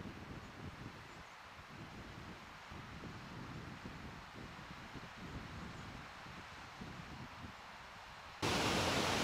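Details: Steady wind rumble and rustling leaves outdoors in a Norwegian summer, no animal voice heard, ending in a sudden burst of loud broadband noise.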